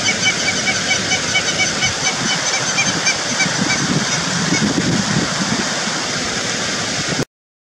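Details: Two hamerkops performing a rare mating ritual in Kruger National Park, South Africa, April 2022, give a rapid run of nasal, honking yips, calling over one another, against a steady rush like running water.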